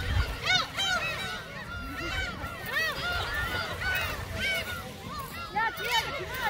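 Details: At Seonjaedo a gathering of gulls fed shrimp crackers calls constantly, a tangle of short rising-falling squeals from many birds, with low background rumble and faint other noise.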